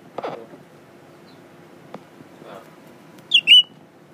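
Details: Tame captive Blue-winged leafbird before a mirror: soft knocks and rustles at first, then one loud, clear, downward-slurred whistle near the close.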